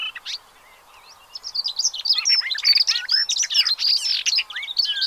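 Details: Pied avocets with chicks at Séné Nature Reserve, Gulf of Morbihan, 30 April 2023: quiet at first, then a dense chorus of sharp, fluty chirps and bent whistled notes that overlap from many birds.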